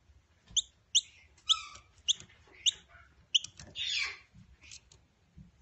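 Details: Noisy miner chicks, hand-raised and learning to feed themselves: a run of short, high chirps and squeaky notes at irregular intervals, with one longer harsh burst, over low background rumble.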